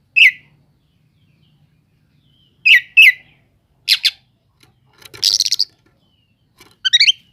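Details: Oriental magpie-robin song played to provoke slow-to-anger magpie-robins into singing: short scattered bursts, rising whistles and harsh chattering notes separated by silences, ending in a quick trill.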